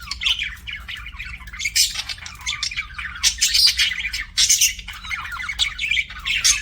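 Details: Ongoing chirping from pet budgies: harsh grating squawks mixed with quick high twitters and chattering bursts, rising and falling in loudness.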